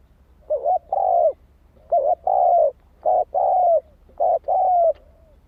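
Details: Spotted dove cooing steadily to stimulate decoys: three close phrases, each a short coo followed by a longer, even, resonant hoot, delivered almost without pause.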